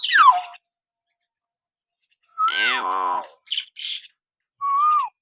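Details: Common hill myna natural whistle lure for pet mynas: a descending buzzy note, a gliding whistle merging into a nasal harmonic call, short chirps, then a level wavering whistle that dips at the end.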